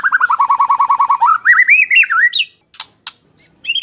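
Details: Murai batu, the white-rumped shama, giving 'tembakan kasar' harsh-shot master song meant for tutoring contest birds: a fast run of identical low notes, then rising, twisting whistled phrases, then scattered sharp high notes after short pauses.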